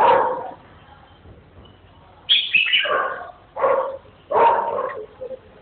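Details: Red-whiskered bulbul giving short, loud warbled phrases that sweep downward from high to mid pitch, in three bursts after about two seconds of near silence; no other clear sounds.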